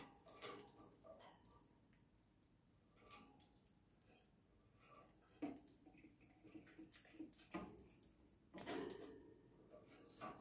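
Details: Pet male budgerigar singing: a soft, scratchy warbling stream of clicks, squeaks and short chirps, with a few louder bursts over quiet room noise.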